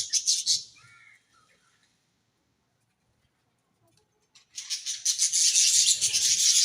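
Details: Budgerigars in a happy colony: a short burst of high chatter, fading into a few faint whistled notes, then a long silence before dense, scratchy chirping resumes.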